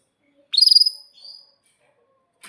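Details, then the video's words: Atlantic canary singing a tutor song for young canaries and for canaries that have stopped singing: one high, fast-pulsed trill that sweeps upward and then holds, followed by a softer short whistled note, in otherwise quiet surroundings. "Kenari GACOR PANJANG INI Cocok untuk Masteran KENARI PAUD dan Kenari Macet BUNYI"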